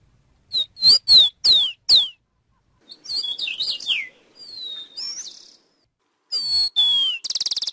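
Rufous-collared sparrow: clear, slurred whistles, mostly falling, then a jumble of quick high chirps, and a final whistle leading into a fast, buzzy trill.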